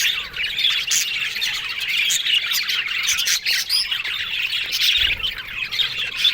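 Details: Yellow budgies in a happy mood trade squawky chirps and rapid warbling twitters. Loud scratchy snaps stand out near the one-second and three-and-a-half-second marks.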